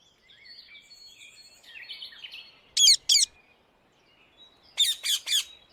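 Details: Rose-ringed parakeet (Indian ringneck) living free in the wild in the Netherlands: two short harsh screeches, a pause, then three more in quick succession, after softer whistles and chirps from other birds at the start.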